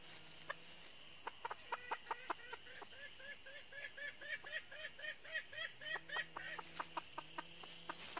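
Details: A northern red-eared decoy hen lures wild junglefowl toward a trap with a fast run of clucks. Each cluck has a slight upward bend, and the series swells then fades. Insects buzz steadily behind.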